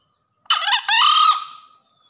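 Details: Green junglefowl in breeding condition, calling after heavy rain, gives one short, hoarse two-part crow: a rough opening note, then a higher, strained drawn-out note fading within about a second.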